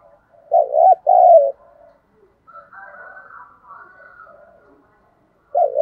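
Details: Spotted dove giving the low-voiced 'thúc gù' cooing style used to lure wild doves: two loud, throaty double-note coos open the clip and return at its end, with softer, warbling low notes in between.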